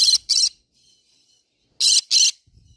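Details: Green-cheeked conure giving two loud grating double screeches about one and a half seconds apart, with a faint thin whistle between them.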